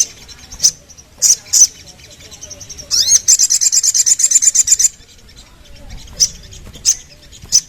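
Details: Sooty-headed bulbul giving short isolated high chips, then a rapid run of around fifteen buzzy pulsed notes after a rising slur, followed by scattered single chips.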